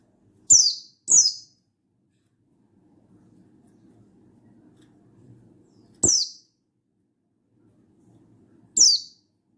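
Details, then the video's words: Mountain white-eye, a Buxtoni type of pleci in full wild-style voice, calling a rival: four sharp, high, downslurred chips, two close together, then two spaced several seconds apart, with a faint low hum between. "Burung Buxtoni Gacor Ngalas Memanggil Lawan"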